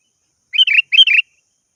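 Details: Sooty-headed bulbul calling to a rival with two matching short bubbly phrases in quick succession, each a bright note sliding into a warble.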